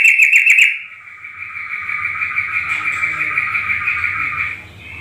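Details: Sooty-headed bulbul lure call meant to make other bulbuls answer: a quick bubbly burst of bright notes, followed by a long, steady ringing tone that fades after about four seconds.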